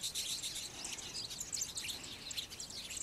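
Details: Flock of citron-headed yellow finches at Yavi, Jujuy, Argentina, May 2015, during courtship and feeding; many thin, high tweets overlap in a busy, steady twittering chorus.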